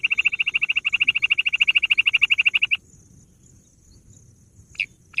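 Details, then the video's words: Bush quail, locally gundri, in a hunting lure recording: a rapid trill of high, clipped pulses for nearly three seconds stops suddenly, then after a quiet gap two short, sharp single notes follow. "bush quail sound"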